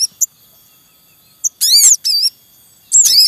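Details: At a wild Javan munia nest with young, with a calling male: a few tiny ticks, then two dense bursts of shrill arched squeaks and a third after a short pause, sharp and high.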